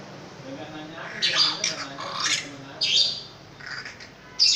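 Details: Long-tailed shrike kept as a pet, singing loud harsh scratchy phrases in irregular bursts of squawks and chattering notes, separated by brief pauses, with low murmuring voices in the background.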